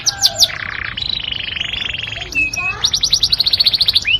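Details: Yorkshire canary performing a sweet tutor song used for training other birds: rapid bright trills, a buzzy sustained rolling section, then fast repeated high downward-sweeping notes.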